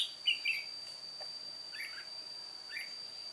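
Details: Red-whiskered bulbul, an old decoy bird singing alone at a trap on 1 July 2018: one loud whistled warble at the start, then softer, fainter phrases, with a constant thin high whine behind.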